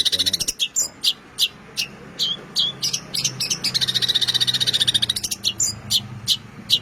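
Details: Long-tailed shrike singing vigorously in a full mimicry-rich song: rapid, bright chirps and trilled bursts, some evenly repeated in quick runs, over a faint low hum.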